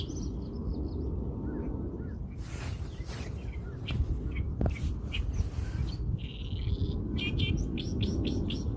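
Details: Wild birds singing outdoors, with bright, quick high chirps and twittered phrases that grow clear near the end, over a constant loud low rumble of wind or traffic noise.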